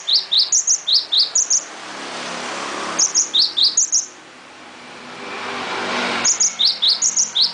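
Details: Cinereous tit in lively full song: three rhythmic series of shrill, repeated two-tone notes, high then lower, each series lasting about a second and a half, with soft background noise between them.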